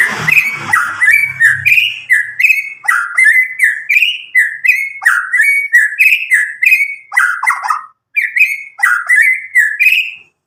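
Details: Medan white-rumped shama about nine months old, just past juvenile spotted plumage, singing untutored and used to prompt young birds to sing: loud clear whistled phrases, rising and falling, repeated rapidly for ten seconds with one brief pause.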